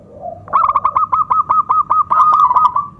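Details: Loud local zebra dove lure song for stirring other doves and starting reluctant singers: a soft low note, then a steady fast series of about a dozen clipped coo pulses at even pitch, rolling into a trill.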